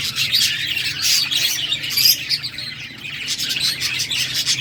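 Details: Budgies chirp as they play, a steady flow of thin tweets and rough chattering notes from several birds, over a faint low drone.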